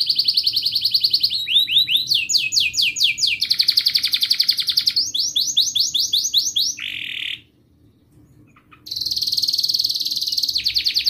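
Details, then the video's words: Canary singing at length as a model for young canaries learning and for silent canaries: sharp high trills changing tempo several times, a brief buzzy note, a pause of over a second, then a fast trill resumes. "Kenari GACOR Panjang Ngelagu | Ampuh untuk pancingan Kenari Paud belajar Bunyi & Kenari MACET Bunyi"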